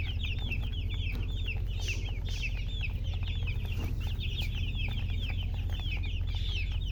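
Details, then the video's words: Baby chicks peeping: a dense, continuous stream of rapid high, down-slurred chirps from several chicks at once, over a steady low hum. "Baby "Chicks Chirping" Sound"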